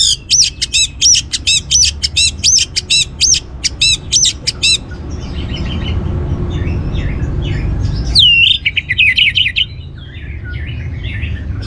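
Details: Orange-headed thrush (Geokichla citrina) song, used as a lure recording for kept birds in Bali: about eight quick, sharp, high chirped notes in a run, then a pause and a rich, varied warbled phrase with a sweeping whistle.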